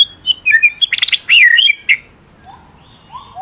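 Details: White-rumped shama, said to be stressed, singing as a lure for another bird: a rich rush of whistled slurs and dense buzzy trills lasting about two seconds, followed by soft, low drawn-out whistles.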